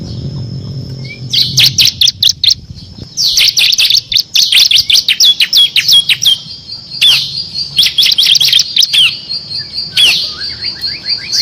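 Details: Bar-winged prinia (ciblek kristal) delivering dense ngebren song with six variations, used to master competition songbirds: long chattering streams of rapid high chirps with brief breaks, ending in faint rising twitters; low hum at the start.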